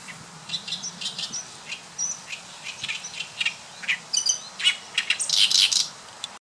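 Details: Oriental reed warbler singing in May 2012 at Saitama Sakurasou Park, Japan: loud, harsh, grating chatters, short notes repeated rapidly in uneven bursts, getting louder and busier toward the end.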